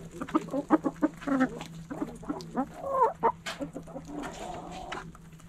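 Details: Hens clucking in a backyard flock, many short rapid clucks and a few drawn-out harmonic notes overlapping through the recording, a low steady hum behind them.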